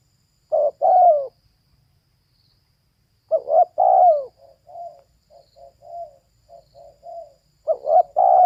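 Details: Female spotted dove: loud two-part cooing phrases, with a run of about six soft, short, even coos between them before the next loud phrase begins.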